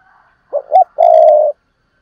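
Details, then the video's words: Spotted dove in Vietnam giving urging and calling coos and the double-ending hai hậu coo: two short hoarse notes then one sustained low coo, with a faint steady tone in the background. "tiếng cu gáy thúc và gáy gọi/ Tiếng cu gáy đôi háy còn gọi là hai hậu"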